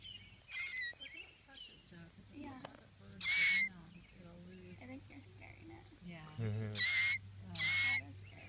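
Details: Baby blue jay protesting while a person shields it from a cat without touching it: four harsh, bright squawks rich in overtones, irregularly spaced over eight seconds, with quiet human murmuring and a steady low hum beneath.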